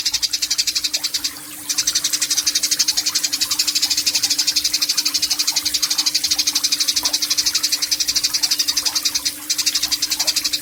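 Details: Eurasian tree sparrow giving its long 'nyecret panjang' chatter, a training recording made in Yogyakarta, Indonesia, on 29 October 2022; a sustained, harsh, fast-pulsed rattle runs almost unbroken over a steady low hum, pausing twice briefly.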